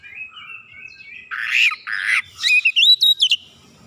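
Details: Oriental magpie-robin in lively lure song: soft thin whistles, then two loud rasping bursts followed by a quick string of bright, high, bouncing whistled notes.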